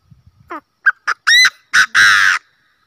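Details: Chinese francolin call used as a hunting lure: a few soft low notes lead into about five loud, harsh, ringing notes. Each note grows longer and more grating, and the series ends in a drawn-out rasping note.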